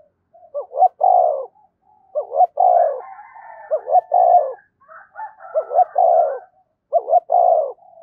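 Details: Spotted dove calling to provoke other doves: quick repeated phrases of double coos and long burry coos, with a second, higher dove voice overlapping in the middle.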